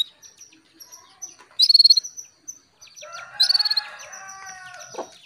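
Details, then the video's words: Female canary calling to a male to stimulate his singing and breeding drive: two quick bursts of about seven high, evenly spaced ticking notes, roughly two seconds apart, with softer lower tonal sounds after the second burst. "PANCINGAN KENARI BETINA MEMANGGIL JANTAN"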